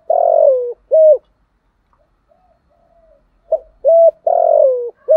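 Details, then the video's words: Caged decoy spotted dove repeating its "giọng thổ" cooing: a long falling coo and a short coo, a pause with faint murmurs, then the phrase again with a clipped note, a level coo, a long falling coo. "cu mồi giọng gáy bài bản, cu gáy giọng thổ"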